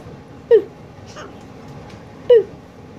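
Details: A pet red-fronted macaw goofing off at night instead of going to bed gives two short, squeaky, falling notes about two seconds apart, with faint room noise between them.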